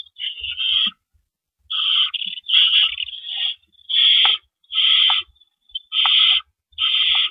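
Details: Owls at a nest at night on April 4, 2012, while adults bring and take rabbits. Rough, breathy screech-hisses recur about every three-quarters of a second after a pause, with light scratching sounds.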